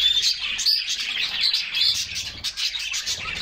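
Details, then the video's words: Canaries bathing together in summer, singing as they splash; busy high twittering with short bright whistles early on, the chorus rising and falling in quick bursts. "Summer Serenade: Canaries Singing and Splashing in a Refreshing Bath"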